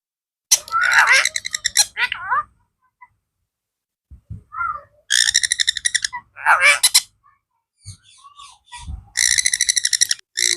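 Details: Talking blue ringneck parrot indoors: repeated loud raspy, pulsed squawk bursts mixed with slurred speech-like syllables and soft low clicks between phrases.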